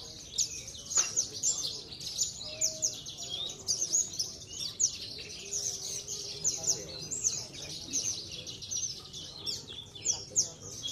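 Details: Caged Javan bush lark, a contest songbird from Cilacap, Indonesia, that regularly wins trophies. It sings rapid, high, chirping and twittering phrases with thin sharp notes repeated in quick bursts. A few lower whistles and faint voices sound in the background.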